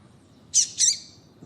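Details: Double-collared seedeater; female call; female calling to stimulate a male to sing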